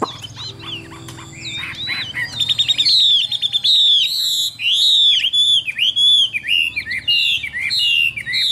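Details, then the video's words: Caged Vietnamese Chinese hwamei, described as a good singer: soft scratchy notes build into a rapid chatter, then loud, clear whistled phrases sliding down in regular bursts with short gaps. "Họa Mi Dáng Dấp Bóng Bộ Đẹp, Hót Tốt Giọng Hay"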